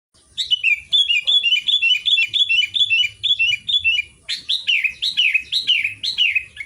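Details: Sooty-headed bulbul singing in the vigorous 'Garuda' style: rapid runs of bubbly, down-slurred notes repeated several times a second, then a short pause and a louder, broader series of slurred phrases.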